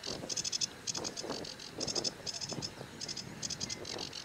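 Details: Sedge warbler singing in short bursts of rapid, dry rattles and scratchy buzzes broken by brief pauses, with soft low pulsing sounds in the background.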